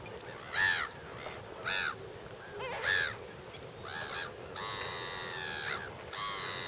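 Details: Flock of lesser flamingos at Lake Nakuru, Kenya, in summer 2011: several loud, arched honking calls standing out roughly once a second, then longer drawn-out nasal calls over a constant chorus of the flock.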